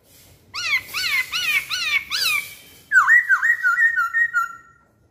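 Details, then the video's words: Lure song of a masked laughingthrush: a string of five arched whistled notes near one rhythm, followed by a rapid wavering series of lower slurred whistles that trail off. "Kicauan Poksay Hongkong"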